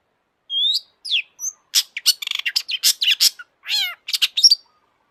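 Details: Excited long-tailed shrike song used to provoke shrikes: a level whistle and falling slurs, then a fast rattling run of harsh, clicking notes, then a buzzy, descending squeal and more chattering notes.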